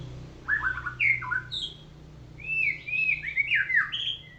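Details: Morning song of a golden white-rumped shama being sunned: two bursts of bright whistles, the first with downslurred notes, the second a fluid chain of rising and falling warbled notes, over a faint low hum.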